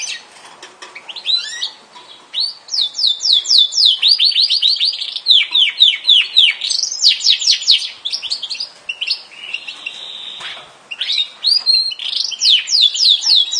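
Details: Yorkshire canary in full song, a long varied performance of fast repeated downward-sweeping whistles, trills and rolling tours that change pattern every second or two, with short pauses between phrases.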